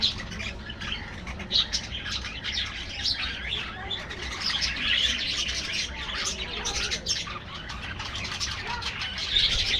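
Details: Aviary colony of budgerigars: constant layered twittering and scratchy warbles from many birds, steady in loudness throughout.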